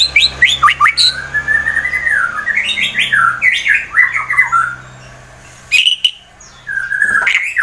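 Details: Caged white-rumped shama from Wonosobo, Central Java, Indonesia, singing a fighter-style song used to provoke rival birds: varied whistled phrases sliding and rising, rapid chattering notes, a brief pause, then loud sharp whistles resume over a faint low hum.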